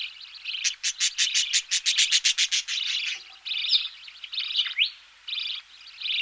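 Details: Budgerigar nestlings calling as they are fed, close up: a rapid train of sharp clicking pulses, then harsh buzzy chatter broken by short gaps.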